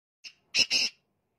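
A black francolin gives one brief, thin introductory note, then two harsh, grating notes in quick succession, all within about a second.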